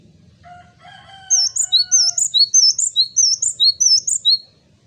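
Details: Male Java sparrow singing actively: after a few faint, drawn-out lower whistles, a rapid run of about ten high, bright double notes, each a tinny upward flick, 'wucit wucit'.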